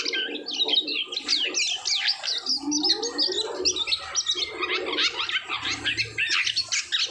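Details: Post-moult Asian pied starling delivering an unbroken jumble of squeaky whistles, rasps and gurgling chatter, with a brief lower warbling phrase midway and a soft low rumble later.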